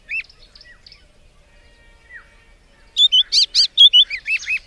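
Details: White-browed Scrub Robin singing loud, clear whistled phrases of short rising and falling notes, about two per second, after a quieter opening.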